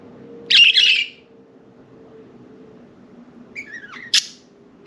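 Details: Pet budgerigars flying around their cage and perching on window blinds; one harsh scratchy chirp early, a quiet pause with room hum, then soft thin warbles and a sharp click-like note near the end.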